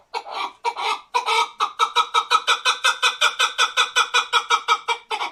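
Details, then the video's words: Male chukar partridge, a hunting bird, gives a few spaced clucks that quicken into a regular, rapid chukking chain of nearly three notes per second. "Erkek Keklik Sesi"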